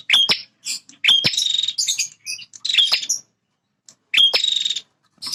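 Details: Male bar-winged prinia, a territorial bird that defends its feeding and nesting ground, singing very actively: four buzzy, rattling bursts with sharp snapping clicks, each under a second, separated by short silences.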